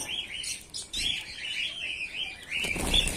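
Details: A mixed colony of white Bengalese finches, males and females, keeps up a steady chatter of high, thin chirps and short buzzy notes, with bursts of overlapping calls and faint wing flutters; White-rumped munia.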